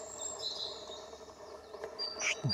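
A European robin sings thin, high, sliding whistles and brief trills in a short phrase, over a steady background hiss.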